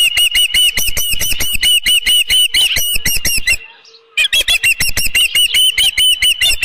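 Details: At a ranch nest in the evening of 15 July 2018, an osprey gives a long unbroken string of sharp whistled yelps, pauses about a second, then resumes just as rapidly while a headless fish is brought in.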